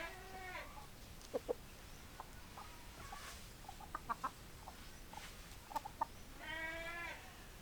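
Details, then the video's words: Rooster crowing with a long harmonic, slightly wavering crow at the start and again near the end, while hens give sharp, clipped clucks in small bursts between the crows. "Chicken Sounds Noises Hens Clucking Roosters Crowing"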